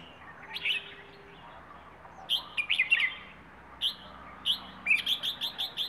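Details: Wild bird from Rayong, Thailand, singing in the plai ho style: scattered warbled phrases and sharp high notes, ending with a quick series of evenly repeated chips, over faint low background hum.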